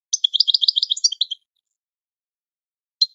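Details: Goldfinch training song used to teach birds: a quick run of bright twittering, liquid notes lasting just over a second, a long pause, then the start of another phrase.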